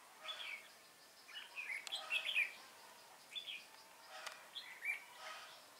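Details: Trapping with a decoy red-whiskered bulbul, 19 January 2018: scattered clear chirped phrases with pauses between them, a couple of sharp clicks, and light background hiss outdoors.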